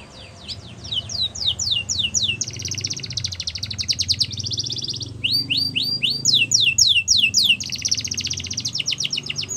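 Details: Yorkshire canary song for canary song training: fast, dense trills of sweeping, rising-falling notes high in pitch, alternating with buzzy rolled passages, delivered in long continuous phrases over a low background hum.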